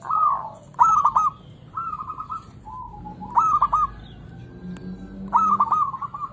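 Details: Zebra dove, a local bird, singing as a lure to rouse lazy doves: several phrases of sharp stuttering notes merging into bubbling rolled coos, with a low hum and faint other birds behind.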